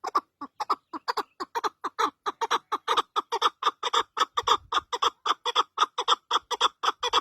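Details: Partridge calling with a fast, steady series of harsh, clucking chuck notes, about four per second, sustained through the whole recording.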